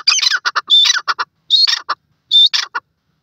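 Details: Grey francolin (desi teetar) calling: several clusters of harsh, buzzy notes with a sharp whistled element, three bursts spaced about a second apart, then silence at the end.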